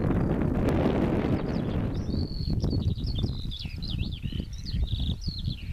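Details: Pipit song during a display flight above a field in May or June 2014. Low rumble at first, then from midway a fast run of high twittering, trilled and slurred notes, against wind noise.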